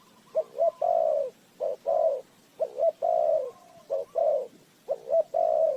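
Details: Rhythmic spotted dove cooing, played as a trapping lure: five phrases of two brief notes then a sustained low coo, steady and evenly spaced.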